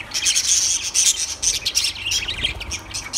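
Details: Lovebirds chattering loudly in continuous high, raspy, scratchy notes with thin whistled squeaks mixed in, dense and unbroken throughout, with a soft low hum beneath.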